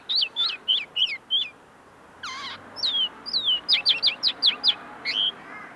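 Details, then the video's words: Close, tame common linnet that is still finishing learning its notes: several high downslurred twitters, one buzzy harsh note after a short gap, then a fast series of bright chirps. "pardillo cantando delante de mi"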